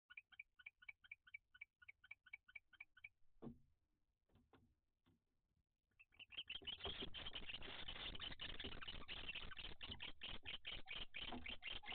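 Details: Barn owls at a nest, an excited male wanting to mate while the female watches a stranger barn owl landed on the roof. Regular, rapid chittering notes repeat about twice a second, then a loud, harsh rasping hiss with scratchy rustling sounds.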